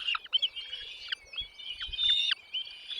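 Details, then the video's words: Nestling birds calling as their parents bring food to the nest: high, thin, wavering notes held in long strained bursts, with short sharp downward flicks between them. Faint low knocks sound in the background. "mom dad birds brings food to feed their chicks in the nest"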